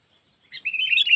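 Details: Kutilang, or sooty-headed bulbul, cengkeram-style trapping lure from Lampung: one quick phrase of rolling, slurred chattering notes that starts softly and grows louder, on a quiet background.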